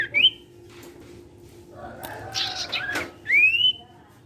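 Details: Sirtu song used to get other sirtu birds singing along: two clear rising whistles, one at the start and one near the end, with a noisy rustle in between.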